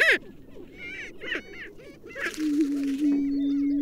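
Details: A great steppe grouse gives a loud opening cry, then short, harmonic, nasal notes about every half second over a faint background, with a steady low hum running through the end.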